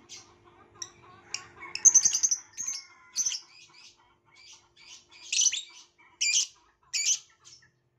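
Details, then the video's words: Violet lovebird producing soft twittering chatter that builds into louder, harsh shrill chirps repeated at intervals of under a second. "Burung lovebirth violet"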